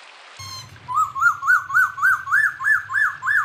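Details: Songbird recording made as training material for captive songbirds: a low hum and a brief buzzy burst, then a rhythmic series of clear whistled notes, each rising and falling, repeated about three times a second and climbing slightly in pitch.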